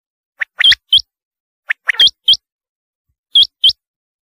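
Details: Rain quail (chinga batair) call: paired sharp, upswept metallic notes repeated roughly every 1.3 seconds, with a few lower, softer chirps before some pairs. Quiet background.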